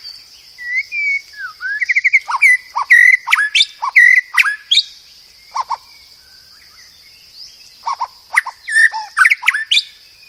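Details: Murai batu, the white-rumped shama, singing masteran tutor song: varied whistled phrases, short trills and sharp sweeping notes delivered in bursts with quiet gaps between them, over a constant thin high tone.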